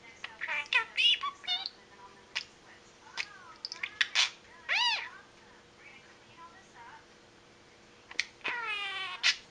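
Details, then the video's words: Pet budgerigar chattering indoors with no other noises around, a run of rapid warbled syllables, squeaks and harmonic slurred notes in bursts, falling quiet for a few seconds before a final burst of buzzy chatter. "Mutterings of The Toby"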